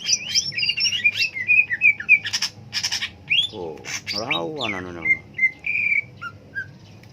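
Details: Cucak ijo leafbird with a long varied song: rapid warbled whistles, sharp clicks and harsh buzzy bursts, then scattered short whistled notes.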